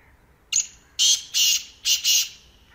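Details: Black francolin (kala teetar) calling loudly up close: a short harsh note, then four rasping, grating notes in two paired bursts over about two seconds, on a quiet background.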